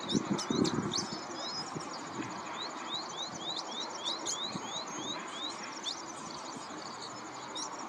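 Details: Pin-tailed whydah (Vidua macroura) song: thin, squeaky high chirps with a quick run of short rising sweeps, several per second, over a low rustling background.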